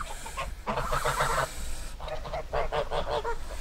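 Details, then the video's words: Geese honking in a run of short, nasal, harmonic blasts, then a brief pause before a second rapid series of overlapping honks, over a low steady rumble. "Gans geräusch / Gans geluid / Bruit oie / Gänse geräusche"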